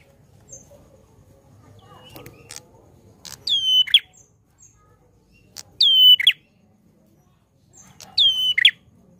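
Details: Three loud phrases from a chatty prinia, each a short falling-then-level whistle ending in a rasping flourish, spaced about two and a half seconds apart over a low background murmur and soft clicks.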